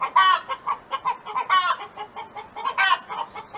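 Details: A neighbour's hen in a chicken song, relaxed farm setting: three loud harsh squawks about 1.3 seconds apart, each followed by rhythmic softer clucks.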